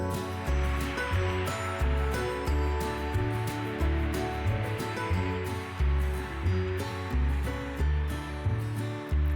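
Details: Rhythmic instrumental music with a steady bass beat and sustained tones plays throughout, with no animal sound.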